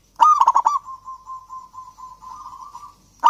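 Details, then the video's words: Local Javanese zebra dove singing, used as a lure for lazy doves: a quick run of five loud, punchy coo notes that settles into a long, slightly wavering purr, with the next phrase starting at the end. "perkutut lokal gacor kutut lokal gacor ampuh untuk pancingan kutut malas bunyi dan macet"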